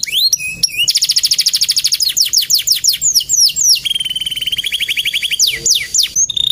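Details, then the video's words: Singing male canary delivering long rapid trills of high repeated notes, broken by quick descending whistled sweeps, followed by a lower even rattle and a few sharp rising and falling whistles; no other sounds. "BURUNG KENARI JANTAN GACOR"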